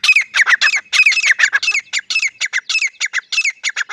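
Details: A male and female grey francolin (teetar) pair call in a fast, uneven series of harsh, rasping notes, some rising and some falling, about three per second, loud and close in a quiet background.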